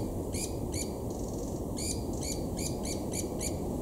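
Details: White-eared barbets mobbing and chasing a black-collared barbet at Imvubu Lodge, KwaZulu-Natal, South Africa, July 2019; sharp harsh notes about twice a second, some overlapping, over a steady high whine and low background rumble.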